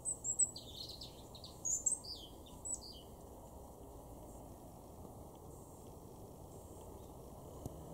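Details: European robin in a garden in Weener, East Frisia, far northwestern Germany, in October 2022, singing thin, very high tinkling phrases of falling notes during the first three seconds, then quiet, with steady low background noise.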